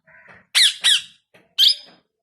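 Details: Indian ringneck parakeet, a newly acquired pet said to be talking for the first time, gives a soft low murmur followed by three loud, harsh, rasping squawks in quick succession.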